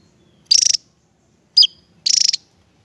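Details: Javan tesia song: three short, very high phrases, two of them rapid buzzy trills of about eight notes each, separated by a brief descending chip, in a quiet background.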